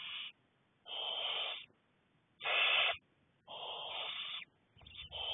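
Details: Begging barn owlets, six in the brood, fed by a parent on 2nd May 2020: a series of rasping, breathy hisses under a second long, repeated about every second and a half with silent gaps.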